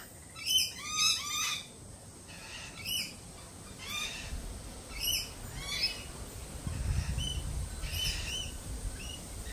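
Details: Jittery lorikeets, shaken by a Peregrine Falcon attack earlier this week, give a rapid cluster of harsh squawks, then scattered screeches every second or so, with a low rumble midway.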